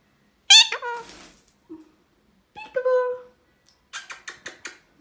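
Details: Indian ringneck parrot in a room with a sharp, loud screech followed by a softer, drawn-out note, then a quick run of five dry clicking taps near the end.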